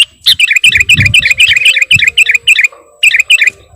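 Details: Kutilang, or sooty-headed bulbul, singing a lively mimicry-filled lure song: a rapid series of bright, repeated whistled chirps, almost four per second, with brief gaps.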